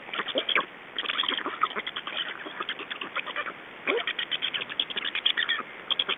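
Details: Black stork chicks at a nest in Estonia during a parent change and feeding, 2 June 2012 at 21:54; dense rapid rasping, pulsed chatter in continuous bursts with brief pauses, several calls overlapping.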